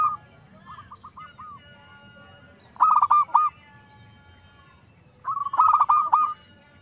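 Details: Lure recording of a zebra dove meant to provoke others: a soft string of short coos, then two loud rolling coo phrases spaced roughly two and a half seconds apart.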